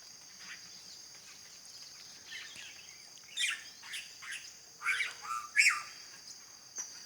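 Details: A morning song of the red-rumped cacique, recorded at 06:50 on a rural smallholding. Bursts of liquid, squeaky and gurgled notes arrive in clusters during the second half. A constant high-pitched insect drone runs throughout.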